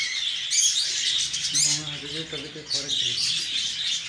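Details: Shrill, overlapping chirps from lovebirds. A short human voice is heard briefly near the middle beneath the high-pitched bird chatter.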